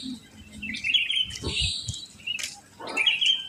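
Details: ['Sooty-headed bulbuls just after dawn in a residential complex where many live, with other birds nearby: bright whistled phrases around mid pitch, a quick slurred burst near the middle, then more whistles, over a low rumbling background.']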